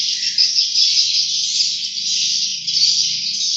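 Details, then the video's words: A constant high, hissing chatter of swiftlet chicks, dense and unvarying, over a faint low buzzing hum. "Lucunya Anak Burung Walet"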